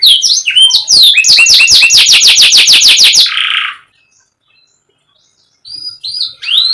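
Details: Canary song opening with mixed chirps, then a fast regular rattle of repeated sharp notes and a short buzzy burst, a pause, and a few soft whistles resuming.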